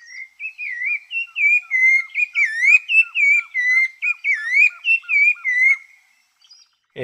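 A Rufous-bellied Thrush sings a steady run of clear, fluty whistled phrases, each about half a second, rising and falling in pitch with little pause between them.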